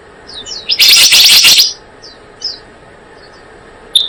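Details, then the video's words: Blue-eared kingfisher lure recording used to attract birds for trapping: a loud dense burst of shrill high chattering notes lasting under a second, with faint thin whistled notes scattered before and after. "Suara pikat burung selendang biru"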